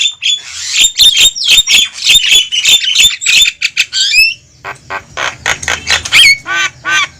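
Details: Noisy Javan myna call used to lure wild mynas toward a trap: rapid harsh squawks with whistled overtones, then a looser series of rasping notes and a short downslurred whistle.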